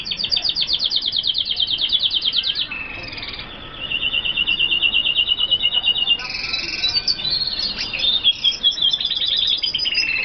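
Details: Red siskin, F1 generation, from Colombia, sings a long, lively series of fast, buzzy high trills, switching between rattling and smoother twittered phrases across ten seconds.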